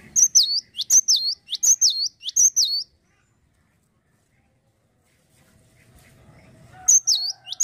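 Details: Four loud, rapid whistled phrases of sharp up-down sweeps from a cinereous tit in full song open the recording, followed by near silence, then the phrase resumes at the close.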